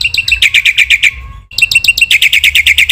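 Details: Black-winged myna in masteran song intended to rile other mynas: steady strings of shrill, evenly spaced chirps with a brief fade in the middle.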